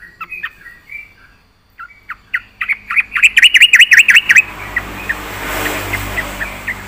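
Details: Yellow-vented bulbul in full 'isian' song: scattered whistled notes build into a dense burst of rapid chirps, then a broad rushing noise covers the last notes.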